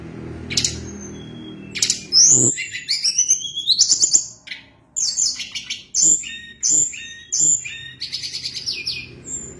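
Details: Sunda blue robin in full song, delivering a long varied sequence of high whistles, sharp downslurred notes and twittering phrases with brief pauses between bursts.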